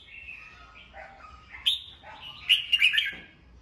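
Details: Morning song of a cage-kept red-whiskered bulbul used for voice training; soft lower whistles build into a loud, rapid cluster of bright chattering notes before fading.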